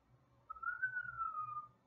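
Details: A Moluccan cockatoo, rescued from abuse and now living at a sanctuary, gives one clear whistle of about a second, rising slightly then gliding gently down, over a faint low room hum.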